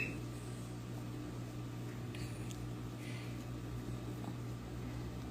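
A steady low mechanical hum, like an appliance or fan running indoors, with no clear animal calls.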